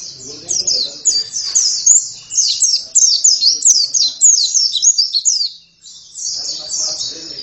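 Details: Oriental white-eye in full song, said to start singing within a minute: an unbroken stream of rapid, high, downslurred chirps, roughly three a second, pausing near the end before resuming more softly, with low background murmur.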